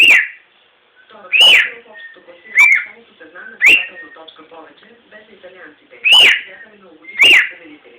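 A cockatiel whistles a song of clear, swooping notes, each rising then falling, with pauses between.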